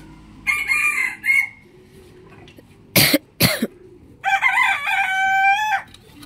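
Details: Morning crowing from a rooster: a rough two-note crow, then two sharp broadband bangs, then a longer crow that ends in a drawn-out, steady, ringing note.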